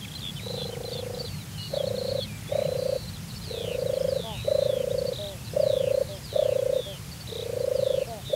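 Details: European turtle dove at a watering place in Turianchay Reserve, Azerbaijan, displaying and singing: a steady run of deep, rolling purrs, about one a second, while other small birds chirp and whistle over a low rumble.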